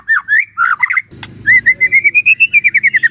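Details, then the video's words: Captive White-rumped shama singing energetically; a few slurred whistled notes, then a steady run of about fifteen evenly spaced rising whistles, over a low background hum. "sekali coba langsung nyaut dan gacor luar biasa✅ MURAI BATU GACOR✅✅"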